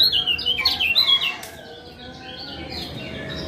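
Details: Lombok lemon-bellied white-eye male, 'ciak ciak' lure calls meant to restart a quiet male's singing: a quick flurry of thin, high chirps for just over a second, then only faint background hum.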